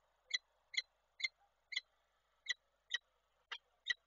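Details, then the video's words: Female peregrine falcon at her Koszalin nest, 28 January 2024, calling while the male visits; evenly spaced harsh, ringing notes about every half second, eight in four seconds, over steady low hum from the nest camera. "Nila z wizytą samca woła"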